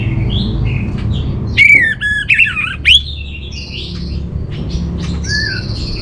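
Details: Orange-headed thrush master song for training: a few loud, slurred whistled notes bend up and down over about a second, followed by fainter, softer warbles and steady low background hum.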